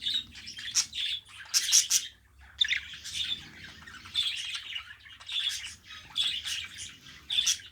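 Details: Tame pet budgerigar singing a continuous scratchy warble, squeaky chirps and buzzy notes tumbling together with a short pause near the middle, then resuming in rapid bursts over a faint low hum.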